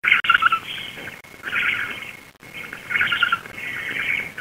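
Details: At a black stork nest in the Łódź area, Poland, at 19:34 on 16 June 2021, the female returns to feed her chicks. Dense, scratchy, high chirping comes in bursts about a second long, repeating with short pauses.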